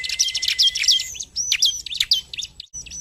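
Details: Bar-winged prinia in chatty 'narung' singing, used to spur other birds to sing: high whistled notes curling downward over a buzzy hum, then several separate sharp slurred whistles.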